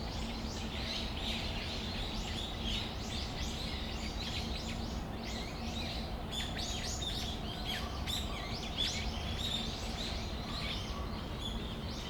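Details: Brown-eared bulbuls calling in Tamagawadai Park on a December afternoon: a dense, overlapping chatter of shrill, squeaky notes and rising and falling slurs from several birds, over a steady low background hum.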